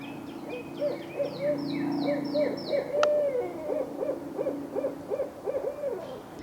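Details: Two Barred Owls calling in the wild at a city park creek in Oklahoma on Earth Day: a rapid run of short, rising-then-falling hoots repeated about three per second, with a sharp click and high bird chirps early on.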